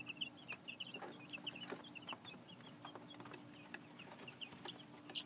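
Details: Young chicks two weeks old, newly placed in an outside pen with a cardboard box for shelter, peeping in rapid high chirps, often paired, over steady low hum and clatter.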